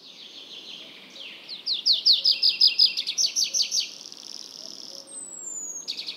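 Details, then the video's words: Tree pipit song: a run of repeated sharp descending notes at about three per second, speeding into a loud series, then a long thin trill and a high drawn-out descending whistle near the end. "Как поёт лесной конёк?"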